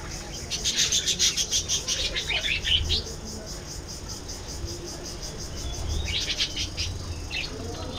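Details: Budgerigars giving fast, rhythmic chirping chatter, a long burst of repeated bright notes followed by a pause and a second shorter flurry, with some faint low thumps in the background.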